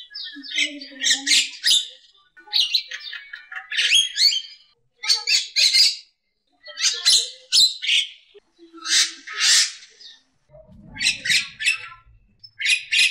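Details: Javan myna, called a champion singer suited for tutoring other birds: harsh, scratchy chattering bursts with wheezy squeaks, delivered in phrases of about a second, separated by short silences, with faint low whistled notes between.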